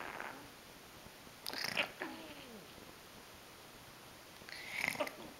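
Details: Snoring sounds from a pet African grey parrot, dated 31 October 2010 in Alaska: two breathy, hissing rasps about three seconds apart, each roughly half a second long, with faint low whistles between them indoors.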